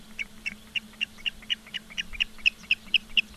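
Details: Osprey at the nest in Charlo, Montana, on 15 August 2023 at 16:06: a steady series of sharp, high chirps repeated about every quarter second, with a low electrical hum underneath.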